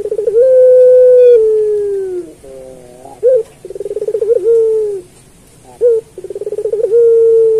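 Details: Puter pelung turtle dove singing, a master recording for training other pelung doves: long low sustained coo, then a gliding note, short sharp hoots and rapid throbbing pulsed trills ending in steady drawn-out coos, repeated across the phrase.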